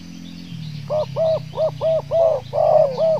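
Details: A trained stuttering spotted dove is put out at 9:15 am after a drizzle in Riau on its first outing and scores its first point, giving a stuttering run of seven soft, rounded coos, each about a third of a second long, over a low background hum.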